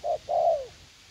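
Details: Young spotted dove kept as a fight-eager trapping decoy in a garden at U Minh, Vietnam. One mellow phrase: a short coo, a brief pause, then a longer coo that slides downward and fades.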